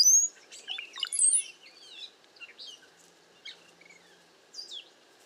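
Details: A bunch of cowbirds calling in strong wind and bad weather: a burst of liquid gurgles and sliding high whistles, then sparser chirps and short whistled notes from several birds.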